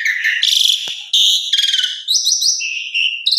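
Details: Asian pied starling, a loud lively song used to lure and stimulate other birds: rich whistled phrases, buzzy trills and sliding notes, mostly high-pitched, changing every half second or so, clean with no other sounds.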